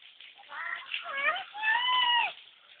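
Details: Baby-like whining from a lory: a short dipping cry followed by a long, steady, slightly rising wail that falls away at the end, clear and tonal over low background hiss.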